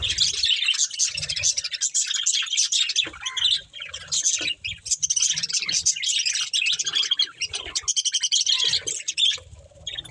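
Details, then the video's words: Pet budgerigar breeding pair chirping together: long run of rapid high warbled chatter and squeaky tweets, steady and dense, a few brief gaps, soft low knocking sounds in the background. "Beautiful Budgies Chirping Sounds | Love Birds Breeding Pair"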